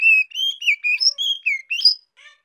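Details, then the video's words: Young female White-rumped shama song meant to excite males, a quick run of about eight bright whistled phrases, sliding and warbling between higher and lower pitches, ending with a faint soft note and no other sounds. "Tiếng chòe lửa mái non hót kích trống hiệu quả"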